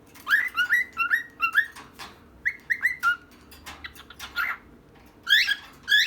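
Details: Chirping from a pet pair, one female, one male: clear whistled notes that rise sharply, repeated in quick runs of about three per second, a quieter gap, then more bright upswept whistles.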